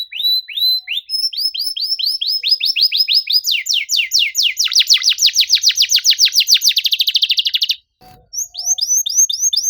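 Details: Canary in packed 'nembak rapat' song for coaxing stuck canaries: rising whistles repeated steadily, swelling into a long rapid rattling trill, a brief pause with a faint knock, then more rising whistles.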